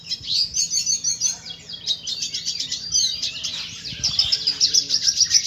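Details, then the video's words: A red siskin in full, energetic song: a rapid, high twittering of buzzy trills and chattering notes, running almost continuously with quick repeated phrases. "BURUNG RED SISKIN GACOR"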